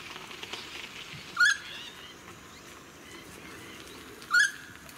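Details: Noisy friarbird in a suburban area of the Sunshine Coast, Queensland, filmed in May 2018: two short, harsh, loud call notes about three seconds apart, over steady wind and faint suburban noise.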